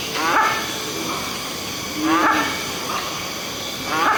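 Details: Indian grey hornbill in Delhi calling: three harsh squeals with stacked overtones, roughly two seconds apart, with softer notes between them and a constant hiss behind.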